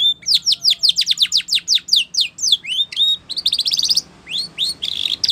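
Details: Training song of a Spanish Timbrado canary, a continuous run of quick descending chip notes followed by a metallic buzzing roll, a short pause, then upward-swept whistles and another rattling trill over soft background noise.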